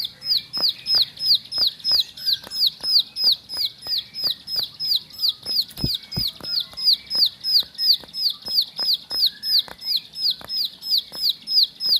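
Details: Bar-winged prinia living in a home, giving a long, regular series of piercing high descending notes near three per second, accompanied by occasional knocks and clicks.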